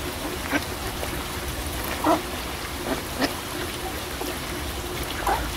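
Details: Several brief nasal quacks from ducks on a pond, scattered irregularly across a few seconds, with running water murmuring throughout.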